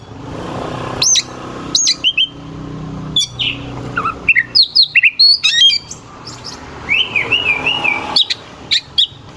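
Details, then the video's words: Oriental magpie-robin singing rough, sharp phrases meant to make rival birds more determined in contests. Isolated high whistles build into busy chip sequences and a warbled undulating phrase near the end. "Suara kacer gacor NGEPLAY KONSLET pancingan kacer ampuh bikin lawan ikut EMOSI"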